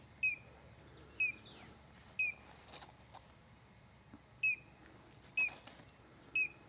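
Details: Collared Crescentchest (Melanopareia torquata) in São Desidério, Bahia, north-east Brazil, December 2012, giving sharp, high, slightly slurred single notes about once a second, with a brief pause midway; faint rustling and clicks behind.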